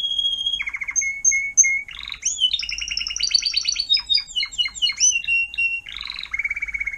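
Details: Timbrado canary acting as tutor for young birds, 2021: opens with a long pure whistled note, then slower repeated chirps, a dense fast rolling trill, and a final broad rasping phrase.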